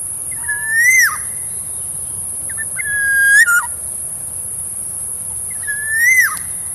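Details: Black-naped oriole, a decoy bird, repeats a clear fluty whistle three times, roughly every two and a half seconds; each phrase holds steady, swells upward, then falls steeply, with a steady thin high hiss throughout.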